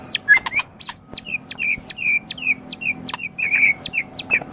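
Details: Caged white-rumped shama singing a fast string of bright whistled notes with rising inflections, interspersed with crisp high clicks, almost continuous for several seconds.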